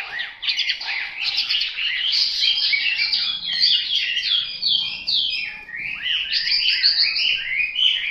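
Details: A wild-caught Chinese hwamei sings without pause, a rich stream of loud, varied whistles, slurred notes and rapid trills, shifting phrase after phrase.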